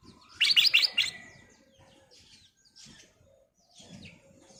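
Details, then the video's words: Sooty-headed bulbul (kutilang emas) singing as a lure recording: a loud phrase of four quick, liquid, bubbling notes at the start, followed by quieter scattered chirps from the background. "KICAU BURUNG KUTILANG EMAS GACOR/ Pancingan Kutilang Emas Gacor full isian"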